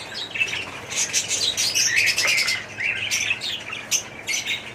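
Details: Budgerigars in an aviary colony, a mix of chirps, rasping warbles and brief squawks from many birds, with some wing flutter.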